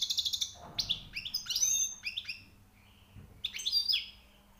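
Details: Newly caught European goldfinch singing with high notes: bright, rapid twittering phrases, with sharp rising and falling chirps and buzzy notes high in pitch, broken by a short pause before another burst of twitters.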